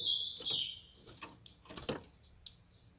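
A young female ultramarine grosbeak gives a thin, high whistled note, followed by scattered sharp clicks and brief high chips over about three seconds.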